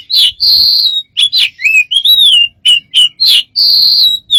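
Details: A bird giving a varied run of strange sounds: clear whistled notes near the top of its range, short sliding chirps and rising and falling tones, separated by brief pauses, with no other sounds.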